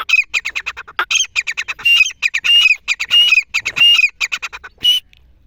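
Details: Grey francolin hunting call: a fast, excited series of harsh, shrill, squawking notes, roughly two or three per second, some doubled, running almost without pause before stopping abruptly.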